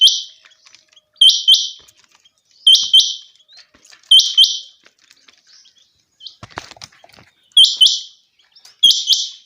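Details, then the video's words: Long run of common quail calls in a summer meadow: crisp doubled high notes repeated every one to two seconds, broken once by a brief rustling noise. "Common Quail. bird sounds from summer meadow"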